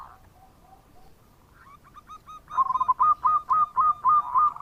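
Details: Local zebra dove in full bekur song, used to lure other birds. Faint low coos lead into a rising stutter, then a run of loud, hollow, rounded notes on one pitch, about three each second.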